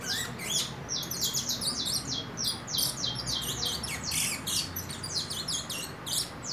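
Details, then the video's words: Four-month-old saffron finch entering moult, eager to sing: dense, rapid stream of bright high chirps and clipped descending notes, nearly continuous throughout. "CANARIO DA TERRA Querendo estalar"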